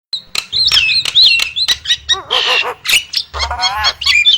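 Nias hill myna giving a rich, varied run of loud whistles, warbled notes and harsh chattering bursts, mostly high-pitched and jumbled together without pause.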